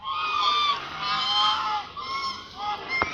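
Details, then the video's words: A flock of ducks keeps up a loud, unbroken din of nasal, honking calls, overlapping throughout, ending with a sharp click. "ducks are creating loud noise"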